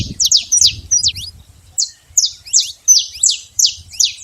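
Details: Free-living wild saffron finch giving sharp, high, falling chip notes, about three per second, in an uneven rhythm after a short pause, over a faint low rumble.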